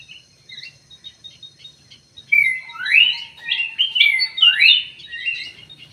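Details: Munia, locally called emprit sawah, giving a burst of high chirping notes with downward-slurred squeaky calls repeated quickly in a cluster, after quieter faint chirps; a steady low hum underneath.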